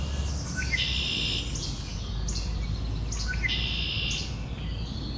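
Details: Red-winged Blackbirds having an argument trade harsh, buzzy trilled songs, each opened by short clipped notes, roughly twice in five seconds, over a steady low rumble.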